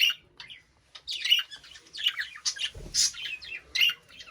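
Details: Caged budgerigar chirping: rapid run of short high chirps and warbled notes, closely spaced with brief pauses, a soft low thump near the middle.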